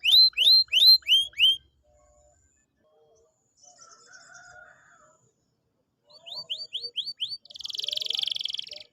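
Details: Canary singing, used to prompt a silent canary to sing: a burst of loud down-slurred chips, a pause with soft twittering, then upward-flicked notes and a harsh buzzy roll at the end.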